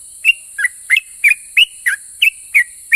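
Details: Quick, regular string of nine whistled notes from a sooty-headed bulbul, a singer said to set other bulbuls answering; notes alternate between rising and falling slurs, about three per second, with steady hiss behind.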